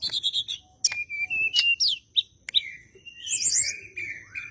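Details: Singing bar-winged prinia in fighting mood, a lure for white-rumped shamas: clipped chirps, short level whistles and sharp clicks, ending in a high fizzy burst followed by rising and falling whistled slurs.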